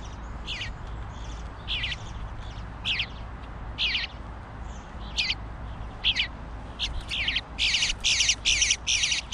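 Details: Young bluebird fledgling begging for food although sitting knee deep in it: harsh, raspy buzzy calls repeated roughly every second, growing louder and faster toward the end, over a low steady hum.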